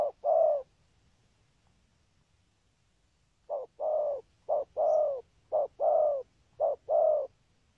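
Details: Spotted dove giving 'thúc gù' spurring coos in a 'có bài' patterned song. A single coo is followed by a pause, then four steady pairs of clipped and drawn-out low hooting notes.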